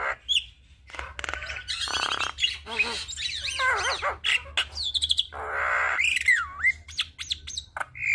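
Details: Javan myna in full, varied song, used as a master and lure for training all kinds of starlings: harsh squawks mixed with wavering whistles that rise and fall, sharp clicks, and a steady low hum beneath.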